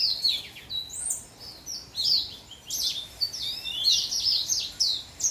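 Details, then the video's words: A young, orange-coloured house finch sings a bright, jumbled warble of quick sliding whistles and chirps, delivered in repeated phrases with short pauses between them. "Young Orange House Finch Singing / 年轻橙色的家雀歌唱"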